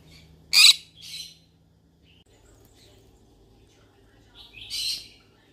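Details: Yellow-sided conure giving two harsh, raspy squawks close together, then quiet with a faint low hum, and a third scratchy squawk near the end.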